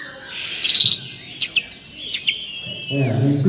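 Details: Champion Oriental magpie-robin (murai kampung or kacer) at a 2018 singing competition in Sri Aman, Sarawak, Malaysia, giving high rapid whistles, sharp clicks and a long descending slur, with men talking at the end.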